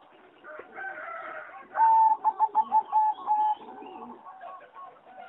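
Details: Caged singing zebra dove of a competition strain, aviary recording dated 26 April 2014; one bird delivers a loud clipped series of about five rhythmic coo notes over a soft murmur of other doves cooing.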